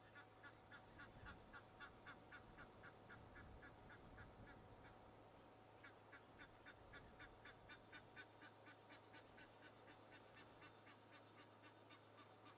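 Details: Geese at Djuma Game Reserve, South Africa, on a morning drive on 24 April 2011 give alarm calls that nearby impala react to: a fast, steady run of harsh, nasal honks, nearly four a second, over a low engine-like rumble.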